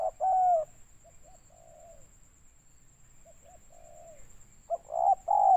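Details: Trapping lure of a spotted dove, 'banggo sayur' call, Riau, Indonesia: loud two-part coo phrases open and close the passage, with softer, fainter short coos between them over a near-silent background.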